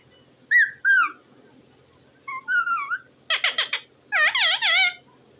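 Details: Talking parrot indoors giving two short slurred whistles, a soft falling whistled phrase, then a burst of harsh chatter and a wobbling nasal squawk.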